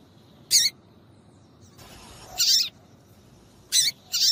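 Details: Calls of a female yellow-bellied seedeater, intended to make males eager to sing; short high chirp, then longer scratchy notes, four bursts within a few seconds over soft hiss.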